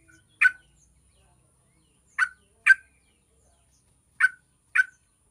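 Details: Yellow-vented bulbul calls used as a lure to prompt bulbuls to sing: abrupt rasping chips, a lone note then paired notes half a second apart, separated by pauses of about one and a half seconds.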